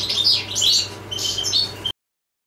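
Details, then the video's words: Brief burst of goldfinch song, bright twittering and a few clear held notes, ending abruptly in silence, with low hum throughout the sound. "jilguero del paso"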